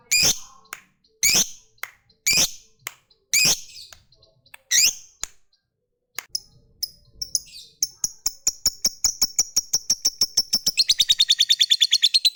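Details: Lovebird used to coax other lovebirds into singing: several loud, sharp chirps first, then a rapid ticking run that speeds into a long, continuous high trill.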